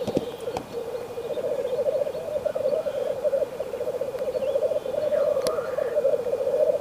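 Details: Frosty landscape with black grouse producing an unbroken low rolling coo, bubbling and pulsing throughout; a sharp click near the start and a faint higher sweeping call midway.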